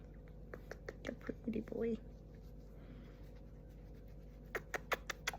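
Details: A pet male galah (rose-breasted cockatoo), snuggling and talkative, whispers soft mimicked words broken by clicking and breathy sounds.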